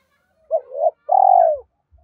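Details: Brief spotted dove phrase: a short double coo note followed by one long, even, buzzy coo that tails off downward, with a faint low thump at the end.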